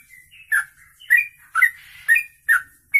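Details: Sooty-headed bulbul in a long 'kongslet ropelan' song, meant as master audio: loud chirped, slurred notes about every half second, with a soft hiss and faint murmurs between them.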